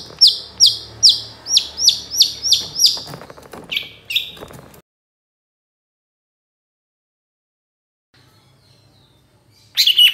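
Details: Long-tailed shrike song to provoke other shrikes to sing: a steady series of sharp, descending high notes about every half second, then rougher chatter before silence and a final short burst.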